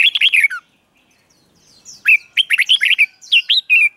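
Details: Red-whiskered bulbul kept in a cage, giving its doubled song style as a model for young birds to learn: a short burst of whistles, a one-second pause, then a rapid run of warbled notes and downslurred whistles.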